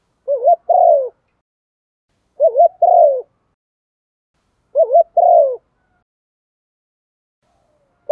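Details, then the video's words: Decoy spotted dove calling the flock to lure wild birds: three husky phrases, a brief wavering pair of notes followed by a drawn-out descending coo, spaced roughly two and a half seconds apart in silence. "Chim cu gáy mồi gáy gọi bổi nhanh về, cu đất gáy gọi bầy"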